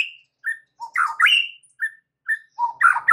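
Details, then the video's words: White-rumped shama song used as a lure to get other shamas singing: separate whistled notes mixed with harsh, rasping bursts, each short and spaced unevenly. "PANCINGAN Murai batu untuk MEMIKAT murai lain AGAR GACOR dan TAMBAH ISIAN"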